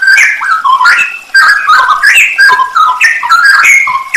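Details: Straw-headed bulbul (cucak rowo), a masteran training recording with full isian nembak song: loud, liquid whistled phrases rising and falling in quick, dense succession, with no break across four seconds.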